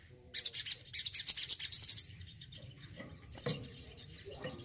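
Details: Male Crimson Sunbird in care sings a fast, high, twittering run of sharp notes lasting under two seconds, then falls quiet apart from one lone sharp note.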